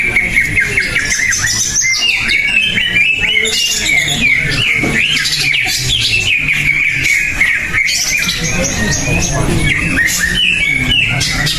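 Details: Greater green leafbird singing at a competition after an earlier first-place win. It pours out fast varied chirps and bright whistled slurs, with competing birds and low crowd noise underneath.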